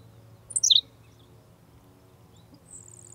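Henslow's sparrow gives its brief, high, hiccuping 'tsi-lick' song, a quick falling burst of notes. A faint high buzzy trill follows over low background hum.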